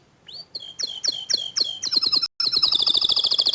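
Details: Canary song linked to a young, untrained canary reacting to a gacor bird. Spaced double chirps with rising whistles gradually tighten into a loud, very rapid high trill after a brief gap.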